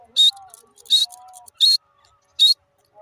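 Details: Francolin, known locally as irani dakhni teetar, gives four short, harsh, buzzy bursts, roughly every three quarters of a second, with faint low tones between them.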